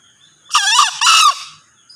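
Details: Male green junglefowl crowing: a short, harsh two-part call, two raspy, harmonic-rich bursts in quick succession, the second slightly longer, over a quiet background with a faint high insect whine.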